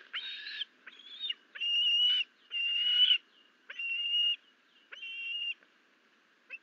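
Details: Osprey at the nest on a June 2022 morning, where a live duck was dropped off as prey for the young bird. Loud whistled calls, level then slightly rising, come in long notes of about half a second to a second, roughly once a second.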